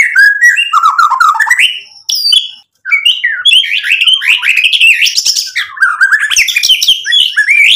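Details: Lure song of a white-rumped shama, the lively 'gacor' style packed with mimicked 'isian' material: nonstop rich whistles sweeping up and down, rapid chatters and bright trills, broken only by one brief pause.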